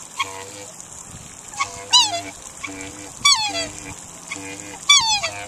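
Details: A pair of Australian black swans approaching give three loud, bugling calls that slide downward, roughly every one to two seconds, over a low, steady mechanical hum.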